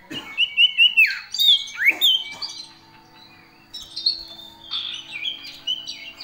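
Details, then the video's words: Common iora in full gacor song with fill-in phrases of other birds: quick bouncing whistles and steep downward slurs, a quieter pause, then a chain of level high whistled notes. "cipoh gacor variasi full isian"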